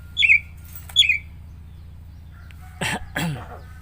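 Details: Javan myna, a pet talking bird, giving two sharp descending whistled notes, then two rough cough-like bursts, over a low steady hum.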